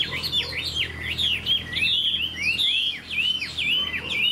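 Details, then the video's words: Song of a newly caught Chinese hwamei from this year, still in its first plumage: a string of clear, sharply dropping and rising whistles repeated in a rapid, rolling run. "Họa mi chuyền năm nay, cực kỳ tố chất, vẩy đuôi khướu, hót tốt"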